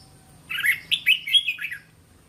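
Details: Red-whiskered bulbul, caged training bird, delivering one lively phrase of about five syllables: quick, rich, slurred whistles that rise and dip, meant to prompt other bulbuls to answer, with a thin steady hum behind.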